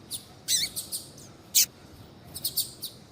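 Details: High, thin chirps from a female double-collared seedeater calling to excite a male into song, given singly and in small clusters with short pauses, over a quiet hissy background.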